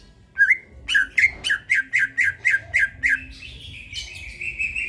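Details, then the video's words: Greater green leafbird, a chatty night song for training birds: an opening whistle, then about nine evenly spaced scratchy notes, ending in a higher, continuous warble. "burung cucak ijo bunyi tengah MALAM GACOR"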